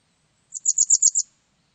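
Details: Japanese wagtail giving a short run of about six very high, thin chirps in even rhythm. The background is quiet.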